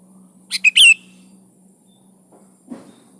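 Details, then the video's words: A single lively phrase from a sooty-headed bulbul in full song (gacor): two quick chirps and a louder warbled whistle, followed by a steady low hum and a faint soft knock. "SUARA BURUNG KUTILANG GACOR"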